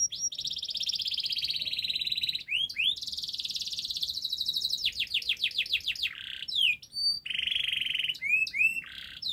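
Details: Gacor canary used as a master recording to lure silent or lazy canaries into singing: a long sustained rolling trill, then a burst of rapid downward-swept notes, short whistled upslurs and further fast trills, loud and continuous.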